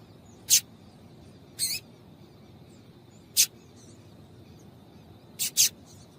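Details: Female double-collared seedeater calling to excite males: short, very high, sharp notes, single or in quick pairs, spaced irregularly over a quiet background.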